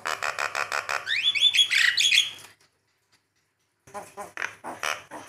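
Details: Javan myna, tutor and lure recording for birds: fast harsh pulsed notes that lead into squeaky, rising whistled phrases, then a brief silence before raspy chatter starts again.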